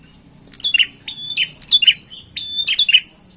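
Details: Lively song of a bar-winged prinia: high, sharp chip phrases sliding downward, linked by thin level buzzy notes, three phrases in quick succession at a steady clip, with light background noise.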